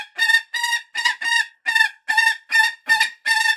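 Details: Falcon uttering a quick, even sequence of raspy, nasal notes, about nine in under four seconds, sharp and harsh.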